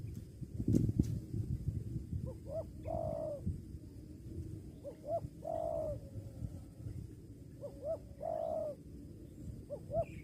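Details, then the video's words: Spotted dove, linked to a bird-luring hobby, gives three cooing phrases, each two quick rising notes followed by a longer, slightly falling coo, spaced about every two and a half seconds over steady low background rumble. "suara tekukur"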